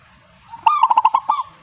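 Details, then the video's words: Zebra dove song: a soft lead-in note, then a rapid series of five or six mellow, rolling cooing notes around one pitch, ending with a slightly longer trailing coo, harmonics clear, quiet background. "suhu perkutut jika nyaut Burungmu bagus berarti"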